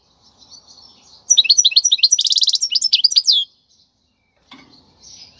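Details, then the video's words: Wild European goldfinch song for teaching chicks to sing: a two-second burst of quick twittering notes and a buzzy trill, surrounded by quiet stretches with faint clattering. "تغريد الحسون البري لتدريب الفراخ"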